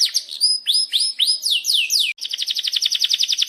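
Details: Canary, song meant as a training lure: spaced swooping whistled notes and falling slurs, a short gap, then a rapid, regular high-pitched trill.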